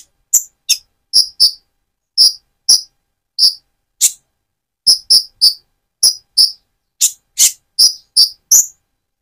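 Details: Speckled-plumage Van Hasselt's sunbird in full song, played to provoke and excite another bird; high-pitched, sharp twittering chips, often doubled, spaced irregularly through the recording, with no other sounds.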